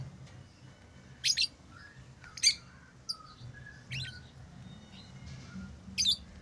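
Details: Lovebirds chirping with scattered shrill, scratchy chirps spaced roughly a second apart, a couple of them doubled, above a low rumbling background hum.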